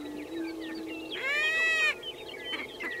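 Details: Prairie chickens lekking at Fort Pierre National Grasslands, South Dakota: a low, steady hollow moan, then a harsh, nasal, bleating cackle, over constant clucks and chatter from other birds.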